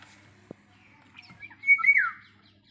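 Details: Bird chirping in the morning: a few faint soft notes, then a loud clear whistled slur that drops in pitch, over a low steady hum.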